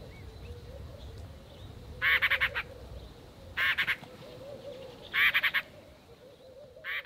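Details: Cape robin-chat scolding a juvenile boomslang tree snake in a garden: harsh, grating bursts of three or four rapid pulses, repeated about every one and a half seconds over a low background hum.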